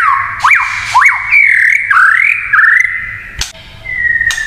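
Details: White-rumped shama singing a kretekan-style song said to provoke other shamas: loud whistled phrases with quick rising and falling sweeps, then long sustained steady whistles, broken by a couple of sharp clicks.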